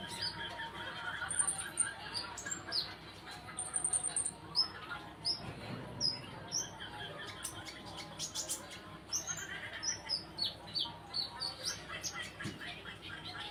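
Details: Sunbird song played as a training lure for other birds: a long run of high, quick, twittering chirps and sharp squeaky notes, busy and irregular, over low background noise.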